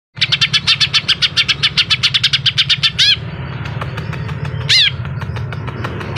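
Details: Greater green leafbird (cucak ijo) giving its fierce 'suara pedas' song style: a fast train of sharp, ringing chirps at about five per second, then softer varied notes with two downswept whistles, over a steady low hum.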